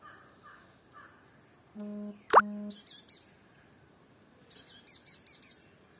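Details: Sunbird on firebush in Kerala: high, thin chip notes in a brief run near the end, after a loud plopping knock and a humming tone, with faint lower whistles from another bird.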